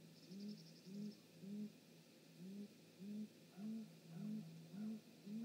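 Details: Great grey owls, mom and dad at the nest, evening of 19 March 2018 on a live camera; regular deep upslurred hoots near two per second, with a short high buzzy trill from another bird at the start.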